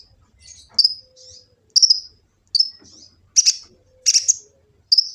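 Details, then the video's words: Sunbird known locally as kolibri ninja, Gresik, East Java, recorded by phone as master song: thin high chip notes alternating with grating, buzzy bursts, each about a second apart, faint low rumble beneath. "Kicau burung kolibri ninja full isian cocok untuk pancingan & masteran burung konin jadi gacor"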